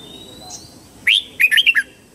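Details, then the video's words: Red-whiskered bulbul morning song, used for training young white-cheeked birds: a single bright slurred note, a short pause, then a quick four-note liquid warble at mid-high pitch. "Luyện giọng chào mào hót sáng hay nhất để luyện má trắng"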